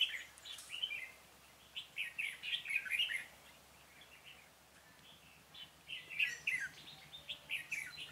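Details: Red-whiskered bulbul serving as a lure for wild birds in trapping, 26 February 2018: clusters of rapid bright warbled notes, a quiet gap in the middle, then another lively burst of chirping phrases.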